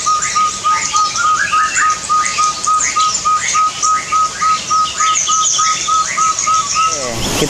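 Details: Chestnut-bellied partridge in an aviary gives a loud, ringing, echoing whistled note repeated about three times a second, steady in pitch, with fainter chirps of other small birds above it.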